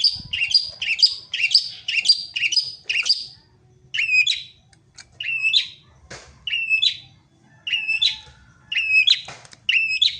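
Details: Songbird in the wild delivering a quick run of five or six chattering notes, then spaced, repeated two-part whistled phrases roughly once a second, bright and high, over a soft low background hum.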